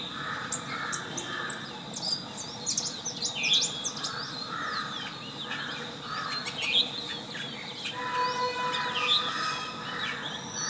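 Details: Long-tailed shrike singing a varied, chattering phrase: rounded mid-pitched notes, quick high chirps, sweeping slurred whistles and short clicks in irregular bursts, with a constant high-pitched hiss and low background noise throughout.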